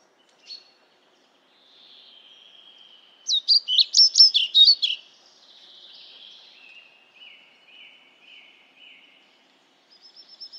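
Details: European pied flycatcher giving one brief, bright burst of rapid, high, chattering notes, with thin drawn-out whistles from other birds before and after in a quiet setting.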